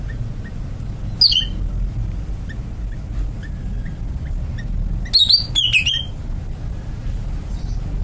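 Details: Caged greater green leafbird: one short high whistled flourish, then a longer run of rapid, sliding whistles about four seconds later, with faint soft chirps and low background hum between them.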